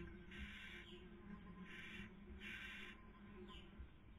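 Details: Barn owl at a nest webcam in Cabañeros National Park, Castilla-La Mancha, Spain, during the 2020 breeding season, the female feeding while the male tries to sleep; four harsh, breathy hissing screeches, each about half a second, over a low steady hum.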